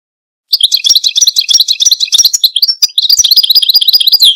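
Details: Fast, sweet twittering from a European goldfinch, a jumble of high tinkling notes and brief buzzy trills that runs on without pause for about four seconds, with nothing else audible.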